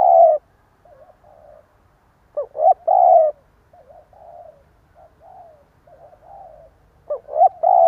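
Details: Spotted dove, a decoy bird giving the stuttering coo used to lure rivals, in Vietnam: loud phrases of low hooting coos, the last note long and drawn out, repeating about every 4.5 seconds, with soft quieter coos between them.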